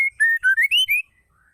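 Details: Whistled call of a female white-rumped shama, meant to trigger singing in males: one clean phrase of about six smooth notes, the middle ones lower, the last rising higher before fading.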